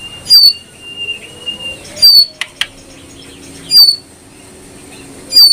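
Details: Brown prinia: a series of piercing high whistled notes, each ending in a quick downward slide, repeats roughly every second and a half. Faint thin tones and soft clicks fill the gaps over a quiet background.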